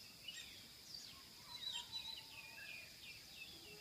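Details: Birdsong recorded on Adam's Peak in Sri Lanka, a run of quick downward-sweeping whistles repeated several times, with a few lower slurred notes, set against a continuous shrill droning hiss.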